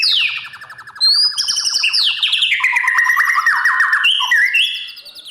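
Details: Morning song of a white-rumped shama used to train newly caught birds for contest singing: falling whistles over a steady rattle, then a loud flowing run of slurred notes and rapid trills.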